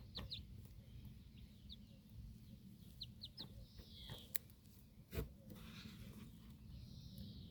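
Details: Broody backyard hen standing guard over four young chicks feeding outside after a barking dog startled the flock; quiet high chick peeps and short trills are scattered through, with sharp clicks and constant low background rumble.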